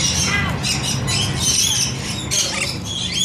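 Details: Rainbow lorikeets in the bath, a busy stream of piercing, metallic screeches and short whistled squeals from many birds overlapping, with a low background rumble.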